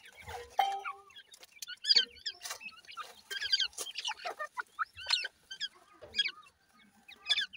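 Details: Playing and fighting francolin chicks of two teetar kinds give high-pitched chirps repeated in clusters about once a second, with soft rustles and clicks between them.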